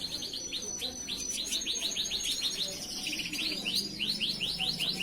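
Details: Canary master song used for training other canaries: continuous high, rapid trills and chattering rolls, with bursts of sweeping repeated notes, over steady background hiss and low hum.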